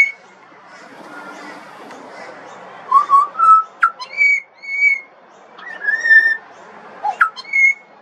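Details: Juvenile pied butcherbird producing sequences of rich whistles, some rising and bending, in two clusters separated by a quieter stretch.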